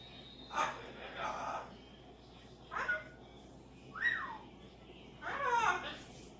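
A cockatoo babbles in speech-like bursts, five short phrases over six seconds with rising and falling, voice-like tones, in a quiet room.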